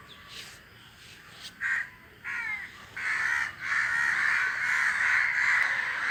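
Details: Crows in a flock calling while flying. Quiet at first with a few separate harsh caws, then a dense, continuous chorus of overlapping caws fills the second half.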